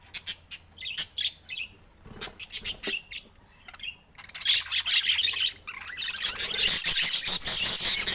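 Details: Budgerigars kept as pets chirp in quick separate notes at first, then build into a continuous, dense warbling chatter of high squeaks and squawks.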